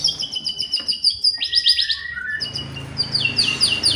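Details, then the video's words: White-rumped shama song meant to provoke rival birds: very high, rapid trilled notes, a short downward slurred phrase in the middle, then more fast high repeated notes. "DENGAR SEBENTAR SAJA..BIKIN MURAI APAPUN ,,,//,,LANGSUNG,,IKUTAN EMOSI"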